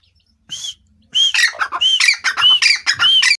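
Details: Grey francolin (teetar) starting with one short note, a brief pause, then a rapid burst of harsh, rasping calls topped by thin whistles, repeated about every half second.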